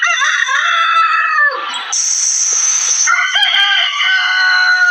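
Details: Desi rooster crowing in a crowing competition: loud, harsh harmonic crows held for over a second, broken by a burst of hissing noise, then another strained crow rising again near the end.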